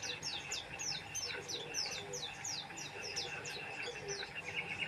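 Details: Oriental white-eye singing vigorously: rapid series of thin, high, downslurred chirps, repeated several times per second and overlapping throughout, with a faint steady hum underneath.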